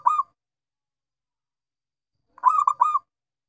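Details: Zebra dove of local perkutut type in full song: the tail of one coo opens the recording, followed by a complete three-part rolling coo phrase, rich and mid-pitched, against a silent background.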